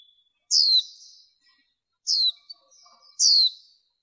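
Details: Female warbling white-eye, background noise reduced: three bright downslurred chirps roughly a second apart, each tailing off into a soft high buzz, with faint scattered lower notes between them.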